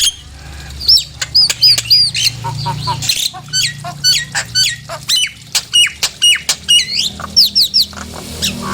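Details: Provoking calls of a Nias hill myna, used so other birds get worked up and sing: a long, varied jumble of sharp whistles, chattering clicks and squeaky, rising-and-falling notes in steady succession.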